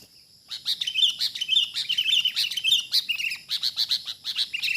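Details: Sooty-headed bulbul in the wild, caught up in a trapping session with a decoy: repeated bright, slightly bubbling notes at an even pitch, delivered in a quick, uneven series for over four seconds.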